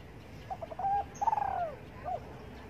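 A spotted dove gives soft, low coos: a few short notes, then a long, drawn-out coo that slides downward, and one brief closing note, over a quiet background hiss.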